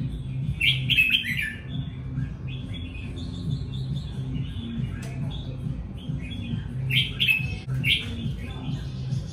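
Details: Singing red-whiskered bulbul praised for its fine voice delivers brisk chirpy phrases near the start and again later, with quieter notes between, over a low droning hum.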